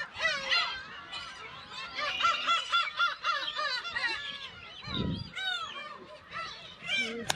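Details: Breeding colony of Black-tailed gulls with chicks on Kabushima, Hachinohe, Aomori Prefecture, Japan, recorded 10 June 2020 on a GoPro HERO8. Rapid, crowded bursts of bright, cat-like mewing from many birds, with a short low thud near the end.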